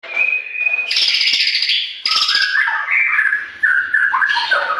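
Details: White-rumped shama song used to stimulate captive birds to sing: loud, varied phrases mixing a steady high whistle, harsh buzzy bursts and rapid chattering notes, shifting pitch between phrases.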